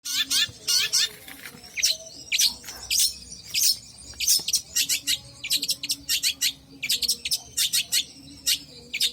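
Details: Long-tailed shrike singing actively: rapid bursts of sharp, high chirps and scratchy notes in uneven clusters, with brief thin whistles between phrases, over a quiet low background hum.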